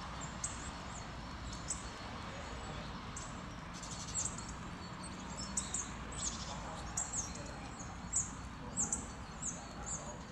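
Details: In late February near Levice, a hawfinch (Coccothraustes coccothraustes) gives short, sharp, very high ticking calls at irregular intervals, one or two per second, over a steady broad rush of wind or distant noise.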